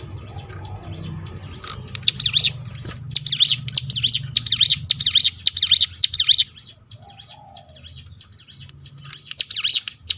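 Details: Crested honeyeater (ciblek gunung) in a 'tembakan' song used to provoke other birds into singing: rapid, high, zigzagging chirps in bursts, about two per second, with pauses and a low background hum.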